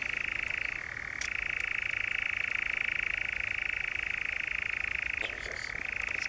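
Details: European nightjar churring at the Brecks, Norfolk, in July 2017 without a break, a dry, rapid mechanical trill that drops briefly to a lower pitch twice before returning to its higher tone.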